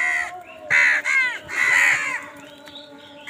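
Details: Loud, rasping crow caws from birds fighting over food, three or four drawn-out harsh calls in close succession, each with arched harmonic bands, followed by quieter background noise.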